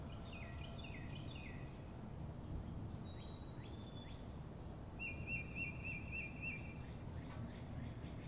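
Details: Several birds chirp outdoors: falling chirps at the start, thin high whistles, then a long rapid buzzy trill, all over constant low-pitched background rumble.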